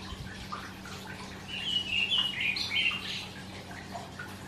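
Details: Karoo thrush singing on a summer morning, among the first birds to start, usually before sunrise; a loud run of clear, warbled whistled notes lasts about a second and a half midway, over a steady low electrical hum.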